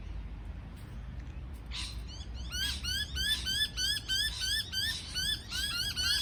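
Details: Parrot producing quick, ringing, upward-sweeping chirps with clear overtones, repeated about three times a second and overlapping into a busy chatter.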